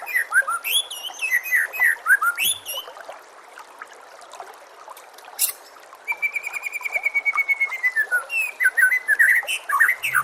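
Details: Bird song used as a tutor recording for training caged magpie-robins, with water sounds: varied slurred whistles, a quiet gap, then a long run of rapid repeated notes and a sustained whistle, ending in quick chattering phrases.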